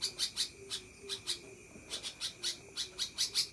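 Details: A sooty-headed bulbul gives a long chattering call in fast, harsh, high bursts of about four or five a second, over a faint steady whine.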